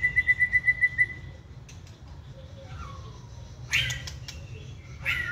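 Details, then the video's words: White-rumped shama, a caged wild-caught bird in its second season: an opening string of quick pulsed whistles, then quieter slurred descending notes and a couple of sharp high bursts, with low hum behind. "Chòe lửa siêng tạch chơi đuôi bung xòe kích là hót"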